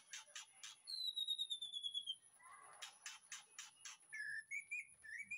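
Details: White-rumped shama in a backyard breeding aviary, recorded as training master song: sharp repeated bursts of buzzy notes, a long descending whistle, then short rising whistled phrases, over a constant high-pitched electronic tone.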